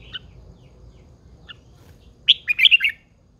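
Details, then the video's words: Caged female red-whiskered bulbul, an older wild-caught bird kept to spur males into singing; two soft, short chirps, then a quick burst of five or six bright, liquid, warbled notes near the end over a quiet low hum. "Chào mào MÁI GIÀ RỪNG || Chào mào MÁI THÚC TRỐNG căng lửa."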